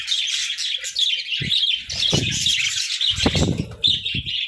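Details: A flock of pet budgerigars (parakeets) fills the air with continuous, dense warbling chatter and bright overlapping chirps, steady throughout, with low thumps and knocks from movement in the cage.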